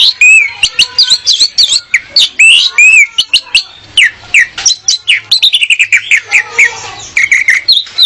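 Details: Female orange-headed thrush singing to lure a male and make him sing freely, used as training material: a dense, fast run of sharp whistled and chirping notes, some rising and falling, many short bursts packed together.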